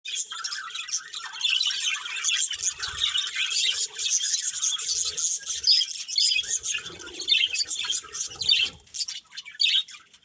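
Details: Colourful budgerigars kept as a breeding pair, chattering steadily: a dense, busy stream of high chirps and squeaky warbles for ten seconds, with a few soft low knocks in the background.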